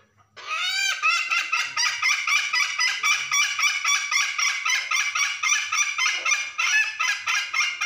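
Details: Hen calling the rooster with the cackle known locally as ngekek: a loud, harsh, nasal run of rapid repeated notes, about three to four a second, going on steadily without a break.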